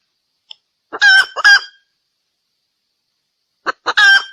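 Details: Female red junglefowl calling for males, used as a lure for wild junglefowl: two loud, harsh double squawks with rasping upper tones, separated by nearly two seconds of silence.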